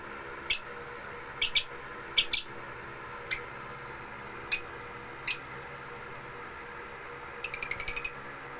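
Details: African lovebirds singing indoors at home: scattered shrill, high-pitched chirps, some doubled, spaced about a second apart, ending in a fast buzzy run of around six clipped notes.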